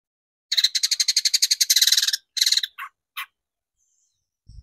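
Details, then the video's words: Long-tailed shrike used as a lure recording to provoke singing: a quick, grating rattle of about twenty rapid notes, a short second burst, then two separate harsh notes, followed by silence and a faint low thud. "PANCINGAN CENDET BIAR EMOSI DAN GACOR"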